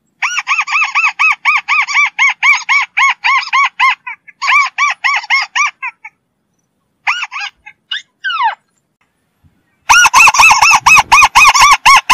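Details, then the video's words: White-browed crake in a rapid, nasal chattering series of arched notes, about two per second, pausing briefly, then a descending squeal and a louder, denser burst of repeated notes at the end. "White browed crake Call / Matang Bayani/ Tikling Kabayo"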